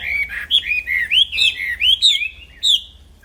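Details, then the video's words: Wambi song from a black-throated laughingthrush kept for training other songbirds: a string of about eight loud, looping whistled notes, each rising then falling, fading toward the end. "Burung Wambi Gacor Plong fighter Yang Bikin Kena Mental Burung Wambi Lain, Masteran Kicau Tanpa Jeda"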